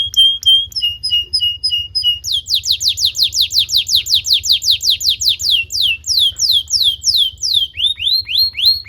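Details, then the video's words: Domestic canary song used as a long-play lure recording for tutoring young canaries: high buzzy stuttered notes, then a rapid run of sweeping slurred notes about three per second, ending in quicker upward-rising notes, with faint low background hum. "PANCINGAN KENARI GACOR DURASI PANJANG UNTUK MASTERAN KENARI PAUD BELAJAR BUNYI DAN GACOR"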